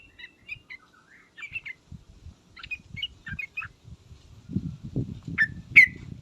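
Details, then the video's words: Sooty-headed bulbul with ngriwek uplik-uplik calls: scattered short chirps and squeaky notes, ending in two louder sharp calls, over low rustling and thumping noises. "suara panggilan trucukan dan ngriwek uplik uplik ini menjadikan burung trucuk gacor nyaut seketika"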